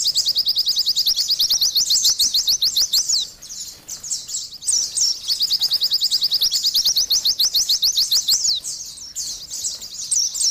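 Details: Oriental white-eye singing vigorously: rapid high chattering trills of short, slurred notes, about three per second, in long bursts broken by a brief pause near the middle, with faint background hiss.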